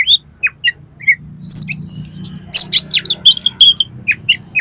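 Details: Oriental magpie-robin (kacer) singing a long high whistle followed by rapid sharp chips and falling notes, roughly four per second, used to make a kacer sing and open its tail; low hum behind.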